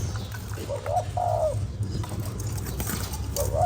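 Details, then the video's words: ['Spotted dove calling to stimulate a lure bird: a single hooked coo and long falling note, then a new phrase beginning, partly masked by heavy low-pitched hum.'] "Cu gáy kích bổi"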